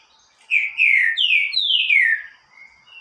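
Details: Green-winged saltator singing a loud, strong phrase: four rich whistled notes, each sliding downward, the last longest and falling furthest, followed by a faint higher note; otherwise quiet background.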